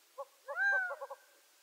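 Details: Gambel's quail: a loud, nasal, arched mewing call overlapped by quick, short clucks before, during and after it, all within about one second.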